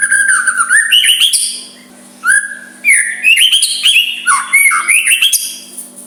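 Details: White-rumped shama giving a soft song meant to provoke a rival into answering; bright whistled phrases with rising and falling slurs, bursts of rapid notes and high thin overtones, separated by brief pauses, with a faint steady electrical hum beneath.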